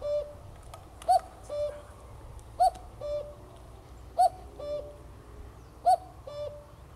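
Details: A common cuckoo calls very close on 7 May 2024 at RSPB Greylake, Somerset, giving its two-note cu-coo, the first note higher and louder, about every one and a half seconds over a faint low rumble.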